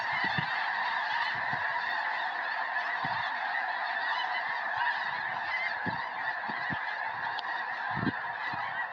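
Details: Hundreds of snow geese circling and landing in a field beside a house in Tennessee on 21 January 2026, days before a predicted major snowstorm; a dense, continuous chorus of overlapping nasal honks fills the clip, with occasional low thumps.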